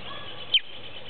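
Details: A creamy-bellied thrush fledgling, just out of the nest and hidden among hedge branches in the late afternoon, gives one thin, high, quickly falling begging note over steady hiss; it seemed to be calling its family.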